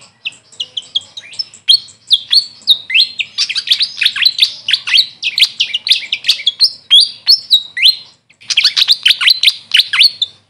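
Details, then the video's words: Grey fantail, locally called Maria Capra, giving a rapid run of squeaky, high chirps and short sliding whistles, bunched in busy bursts with a brief pause near the end before a final cluster. "Grey Fantail bird call||huni ng Maria Capra kung sa amin tawagin"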